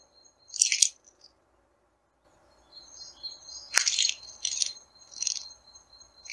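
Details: Flycatcher giving short, harsh, high-pitched scratchy calls: one burst, a pause of about two seconds, then four more rasping bursts in quick succession.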